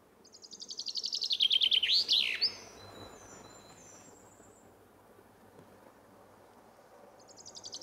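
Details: Common chaffinch singing one full phrase. A quick descending run of repeated notes speeds up and ends in a sharp, swooping flourish. A long pause follows, then the next phrase starts at the very end.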